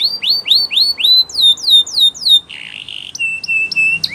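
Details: Belgian canary song for training: upward-curving whistled notes in a run, then down-slurred sweeps, a rough buzzy note and short, clipped high chips.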